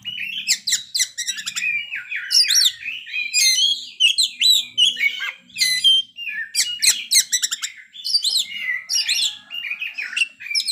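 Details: Oriental magpie-robin (kacer) delivering a long, dense stretch of isian song: rapid trills, buzzy bursts and clear whistles tumble together almost without pause, with faint low hum in the background.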